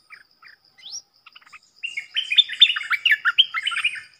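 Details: Streaked bulbul near the microphone, one of a wild family lured by decoy calling: a few soft chips and an upward slur, then a loud rapid run of bright, warbling chattering notes.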